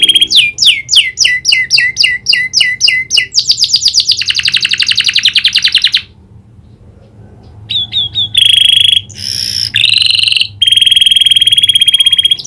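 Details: Canary with prinia (prenjak) clicking phrases: rapid repeated down-sweeping clicks, a buzzy rattling trill, a short pause, then loud high trills and ringing whistled notes.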